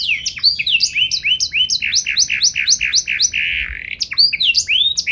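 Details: Canary in full gacor song, a rapid run of rising and falling whistled slurs repeated several times a second, with a brief buzzy roll near the end before the sweeps resume.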